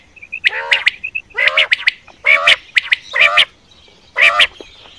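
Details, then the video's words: Quail calls for night-time hunting: five harsh, rasping squawks spaced about a second apart, each with crisp clicks, preceded by faint soft piping notes. "Quail Voice Sounds For Hunting Raat Ki liye Saaf Awazay Quail sounds Batair Ki Awaz"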